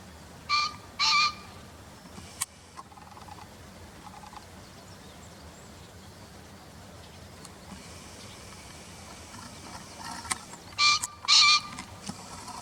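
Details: Green pheasant, its call taken from a field-guide recording, dubbed over a pair feeding in a paddy field in early April 2021: a harsh two-note crow, a long quiet gap with faint clicks, then a second double crow about ten seconds later.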